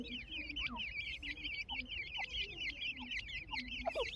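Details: Grey francolin chicks with their family, female present: a dense, continuous chorus of thin, high, wavering peeps from many chicks, overlapping throughout, with soft low clucks and faint background noise underneath.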